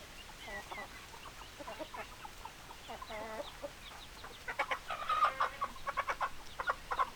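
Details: Hens clucking softly, with scattered short clucks and a brief drawn-out cackle, growing into a quicker run of louder clucks toward the end against steady background hiss.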